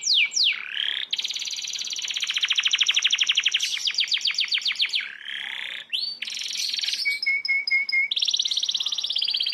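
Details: Canary roll song in a master recording for training young magpie robins: long rapid high trills, swooping whistles and a short run of clear repeated notes before another roll.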